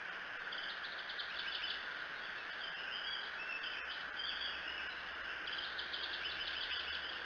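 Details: Bald eagle at its nest in Decorah, recorded by a nest camera on 24 June 2018 between about 3 and 4 a.m.; bursts of rapid, high, piping chitter notes come in runs, over steady hiss and a constant hum.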